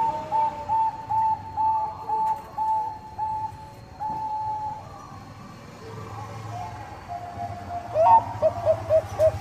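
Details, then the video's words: Bangkok-type zebra dove song used to spur rival birds to sing: a steady string of short level coos at the start, a quieter stretch, then a rising coo followed by several quick clipped notes, with low rumbling background noise. "PANCINGAN PERKUTUT BANGKOK GACOR - SUPER AMPUH, BIKIN LAWAN PADA BUNYI."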